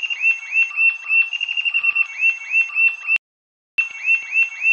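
Rufous-tailed jacamar song: high, thin upslurred whistles run together in a fast, excited series, about three notes a second, with a brief break midway.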